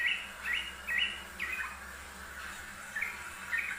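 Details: Frequently singing yellow-vented bulbul on a master recording, giving short, rich, gurgling notes in quick clusters, about six bursts over four seconds with a pause in the middle. Soft steady hiss underneath.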